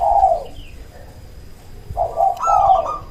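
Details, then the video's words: Local zebra dove lure call meant to provoke other doves into answering. A soft, mellow coo is followed by a gap. Then comes a fuller pair of purring coos, the second starting higher. "Perkutut lokal gacor RAJA PIKAT ahlinya bikin semua burung perkutut lain gacor nyaut"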